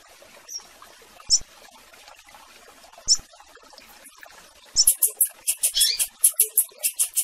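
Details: Coleiro, or double-collared seedeater, calling a female alongside a tiziu; scattered single high chirps for the first seconds, then a fast, loud run of repeated sharp high notes to the end.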